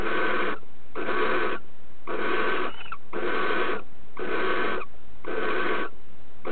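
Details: Female barn owl accepting a mouse as a nuptial gift from the male, then mating with the mouse in her beak; harsh, breathy snoring hisses about half a second long, repeated roughly once a second with short gaps.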